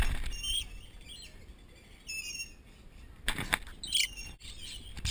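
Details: A bird at Brevard County Zoo yelling at another bird: short, high whistled chirps with rising and falling strokes near the start and at two seconds, then harsh, loud, scratchy bursts around three and a half to four seconds.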